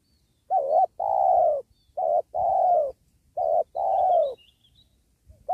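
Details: Spotted dove cooing during trapping of wild doves beside a sacred tree. Three clear phrases, each a short bent note and a longer falling coo, come about every one and a half seconds, with a faint chirp in the background.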